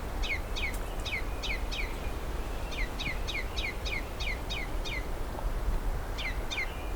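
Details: A male Ruby-crowned Kinglet near a cedar swamp, apparently curious about the observer, with a suspected nest nearby. It gives quick runs of high, down-slurred chips, about four per second, in bursts of five to seven, over a steady low rumble of wind.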